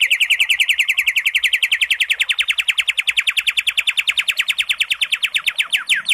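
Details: White-rumped shama; song; provoking other shamas into singing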